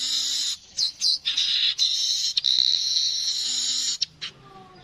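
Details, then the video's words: Streaked weaver with its natural call: long harsh buzzing wheezes cut by short breaks and quick chirps, steady and loud, high-pitched throughout. "Burung Manyar kepala kuning suara asli"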